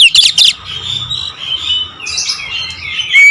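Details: Oriental magpie-robin song, a loud burst of harsh squawky notes at first, then a softer, continuous warbling chatter, with a bright whistle at the end.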